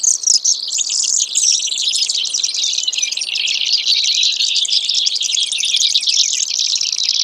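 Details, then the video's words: Brewer's sparrow giving a long, unbroken run of high, buzzy, rapidly pulsed trills that shift in pitch from one phrase to the next, with no other sounds. "Brewers Sparrow Sound, Bird Call"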